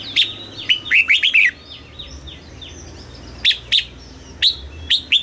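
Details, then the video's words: Caged red-whiskered bulbul song, southern master style from Thailand, meant to stimulate birds and teach youngsters: a rapid cluster of rich whistled notes, faint chattering, then single clear whistles repeated at short gaps. "เสียงนกกรงหัวจุก สำหรับต่อ หรือ เปิดให้นกคึก เสียงเพราะๆ"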